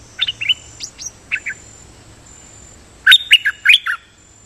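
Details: Dok Taeng bird, a kept decoy singer, giving doubled song: a few spaced chirps, a two-second pause, then a loud fast burst of five bright falling notes.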